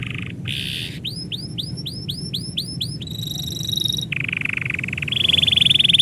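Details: Canary song as its owner gets ready to leave: buzzy bursts, a run of curved whistled notes, a pure high sustained tone, then long rattling rolls growing louder.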